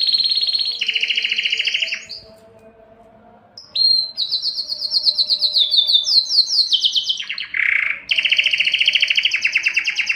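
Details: Singing canary, strong and long song given to attract females for mating: fast rolled trills, a two-second quiet gap, then a rising series of quick high phrases, a short lower burst and a final sustained rapid trill.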